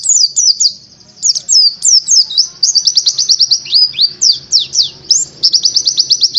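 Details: Oriental white-eye, subspecies buxtoni, delivering a lively training song: bursts of falling slurred chirps, dense stretches of fast tight notes and occasional rising sweeps, continuous and high, over a faint low hum.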